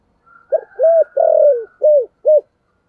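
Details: Deep thổ sấm style cooing of a spotted dove: a five-note phrase of hollow coos, with a soft lead-in, a longest drawn-out falling note in the middle, and two short arched notes to finish.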